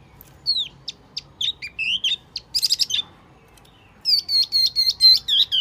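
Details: Wambi mini calling as a bird lure: scattered thin, high whistles and chirps, a dense twittering burst near the middle, a short pause, then a steady row of clear, repeated whistled notes.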